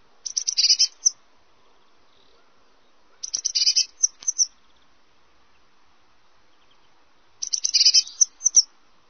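Eurasian blue tit song: three short, very high, thin bursts ending in quick buzzy trills, about every four seconds, over a quiet background.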